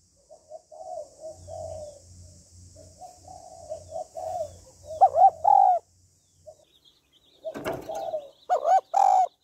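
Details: Spotted dove hen calling to rouse a male: gentle murmured coos over a low hum, loud arched coos, a sharp knock midway, then more ringing coos.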